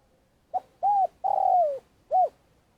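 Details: Trapping decoy spotted dove in long calling: a short soft coo, a medium arched coo, then a long slurred coo gliding downward, and one more brief arched coo. Clean, quiet recording.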